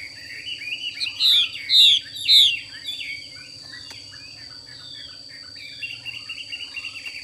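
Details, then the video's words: Female Chinese hwamei, a caged bird, producing three strong downward-slurred whistles in close succession, then softer scattered chirps and twitters trailing off, with a constant high-pitched tone and faint low hum in the background. "Họa mi mái xùy cực đỉnh"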